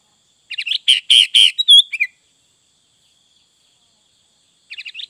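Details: Sooty-headed bulbul in full song: a burst of chirpy notes and rich burry phrases with a brief clear whistle and a falling slur, then silence before the phrase begins again near the end.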